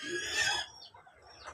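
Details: A two-week-old broiler chicken that has a cold, which the owner blames on hot weather, gives a harsh, rattling, snore-like breath lasting about half a second, then quieter faint rasps follow.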